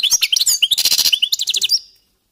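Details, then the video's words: Goldfinches warming up their voices: a dense two-second run of sweet rising chirps that merge into a rapid buzzy trill, then fade out. "jilgueros calentando motores"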